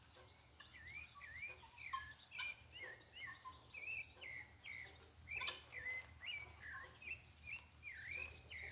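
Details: Sabiá thrush singing at dusk in the countryside: a run of clear whistled phrases, many rising then falling, given in quick succession with short pauses, other birds chirping faintly, steady low hum of background noise.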